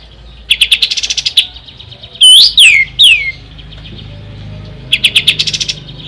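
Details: Ashy tailorbird song meant for tutoring contest songbirds: a quick run of high chips, three loud swooping down-slurred whistles, then another rapid chip run after a quiet stretch.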